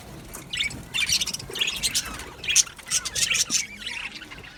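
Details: Chattering male budgies in a colony aviary, 8 December 2025: dense runs of high, scratchy chirps and squeaks come in clustered bursts, several birds calling over one another.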